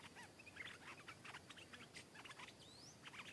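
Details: Wild stripe-throated bulbul arriving to sing back at and fiercely attack a caged bird: dense bursts of short, bubbly, chattering notes, with one clear rising whistle near the end.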